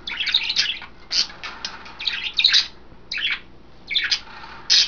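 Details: Caged pet budgerigars during bath time, three females splashing in a water dish and wet vegetables, February 2012; bright harsh chirps and squawks in clustered bursts, several overlapping, with quiet background hum indoors.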